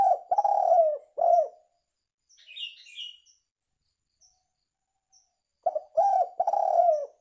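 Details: Spotted dove call for luring birds: mellow, throaty coos in a phrase, then a gap with faint high twittering from another bird, and the cooing phrase starts again, each long note sliding slowly downward.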